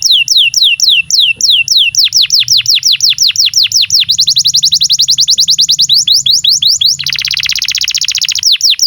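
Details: Singing canary used to teach young canaries and prompt non-singing ones: a long run of rapid, evenly repeated downslurred whistles at about three per second, accelerating, then a dense low buzzy trill.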